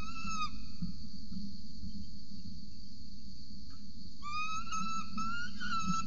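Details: Peregrine falcon at a nest ledge in Orange, Australia, filmed by a nest camera at 8:07 am on 26 November 2020 while an adult feeds a chick; drawn-out whistled wails with harmonics, a short one at the start and a longer run near the end, over a steady low hum.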